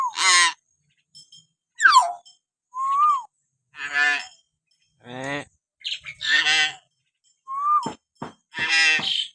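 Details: Common hill myna training sound meant to stir other mynas into calling: loud harsh, nasal squawks with rich harmonics alternate with short falling and rising whistles, about one call per second, clean background.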